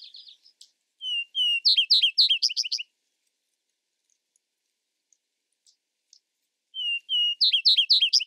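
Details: Vesper sparrow delivering two songs separated by about four seconds of silence. Each begins with a pair of level whistles, then breaks into quick, descending slurred notes that form a sparkling trill.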